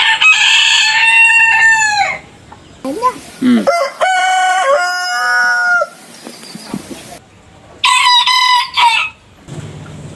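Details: Roosters crowing in a compilation of different birds' crows: a loud falling crow, then a lower, longer, stepped crow with several segments, then a third short bright crow.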